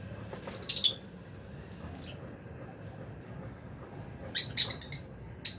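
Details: Aviary flock of albino and Fisher's lovebirds feeding: a short burst of high squeaky chirps, then thin faint ticks, then a rapid cluster of shrill chirps and a final sharp note.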